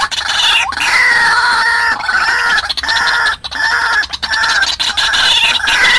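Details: White-breasted waterhen calling as a trapping lure: dense, continuous croaking, strident and layered, repeated roughly 88 times a minute with one clear pause midway.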